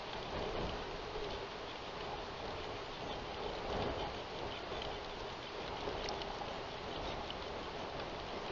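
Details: Dense, steady hiss like rain or wind fills the recording throughout, with no distinct animal calls.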